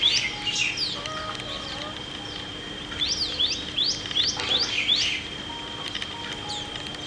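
Asian green bee-eater giving quick, high chirps in two bursts of about six notes. A steady high insect whine and a faint low hum run underneath.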